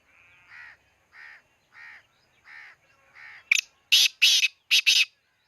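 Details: Black francolin calling: four loud, harsh, grating bursts near the end, each a broad rasping note, after a run of softer, evenly spaced nasal notes about every half second.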